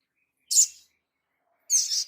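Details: Two loud, harsh, buzzy high notes from a sunbird, a little over a second apart, on a master recording for bird training.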